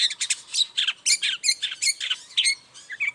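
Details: Morning song of a long-tailed shrike, played to coax silent shrikes into singing: dense, scratchy high notes delivered quickly and continuously, with squeaky whistles and harsh chips mixed together.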